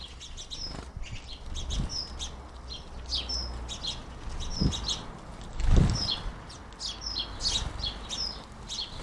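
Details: House sparrows feeding at a garden bird feeder chirp in short, bright notes that repeat every second or so, over soft wingbeats and low thumps.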